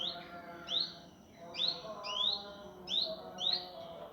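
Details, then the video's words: Indigo Flycatcher training master, gavor kasar sung speed rapat: clear rising whistled notes, each sweeping upward, repeated roughly every half second in pairs and threes. "masteran burung indigo gavor kasar speed rapat"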